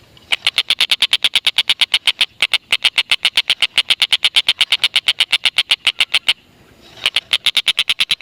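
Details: Black-and-red broadbill calling on and on, used to lure lovebirds into calling; a long stream of quick buzzy notes with one short break near the start and a longer pause before the chatter resumes.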